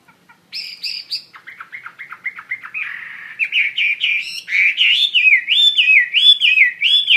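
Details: Wambi mandarin bird singing actively, starting with a few high ringing notes and a rapid stuttering chatter, then building into a loud sequence of wavering, looping whistles.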